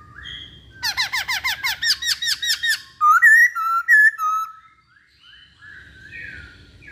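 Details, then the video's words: Chinese hwamei in full song: a fast series of loud, harmonically rich, downward-slurred notes, then bright rising and falling whistles, fading into quiet warbling at the end. "Burung Poksay Hongkong Gacor"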